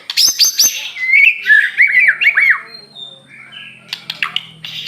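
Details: Aceh-type white-rumped shama singing hard: a burst of high harsh notes, then rich looping warbled whistles, fading into softer high calls and clicks.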